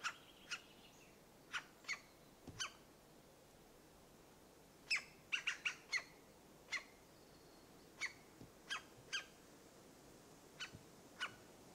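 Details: A European green woodpecker at its nest site in a Dorset wood gives short, sharp, ringing notes, sometimes singly and sometimes in quick bursts of three or four, over a quiet background.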